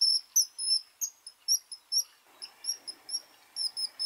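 A kingfisher gives thin, shrill, very high piping notes, repeated rapidly about three to four times a second, with a soft hiss of background noise in the second half.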